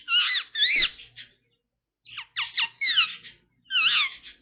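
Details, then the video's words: Pet Indian ringneck parrot giving squeaky, warbling chatter. Harmonic notes sweep up and down in three bursts separated by short pauses, and the room is otherwise quiet. "The Indian Ringneck Parrot Making Beautiful Sounds"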